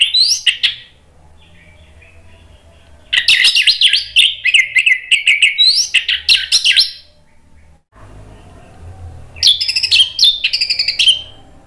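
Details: Orange-headed thrush song used to lure a bird that has stopped singing into answering: long rambling runs of loud, varied chirps and slurred whistles, broken by pauses, ending in a high rapid twittering burst.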